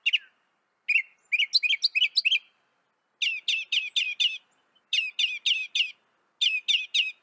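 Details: Song of a northern mockingbird in North America: bursts of rapid, sharp chirps grouped into repeated phrases, each group of four to five notes separated by short gaps.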